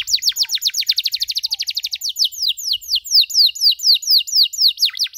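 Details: Canary master recording for teaching young birds the chirping song: a rapid, even series of sharp downward-swept whistled notes that slow into wider, spaced sweeps. The background is clean.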